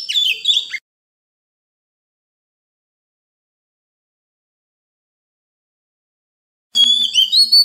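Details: Oriental magpie-robin (Copsychus saularis), song: training young birds to sing.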